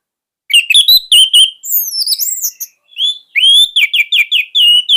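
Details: Orange-headed thrush (anis merah), captive and used to teach young thrushes, sings quick chattering notes, then high mimic-like swooping whistles, then a fast run of clear warbled phrases.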